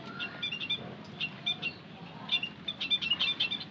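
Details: White-headed munia lure call (emprit kaji pancingan): thin, high chirps in short scattered bursts, louder clustered notes near the end, over a low background murmur.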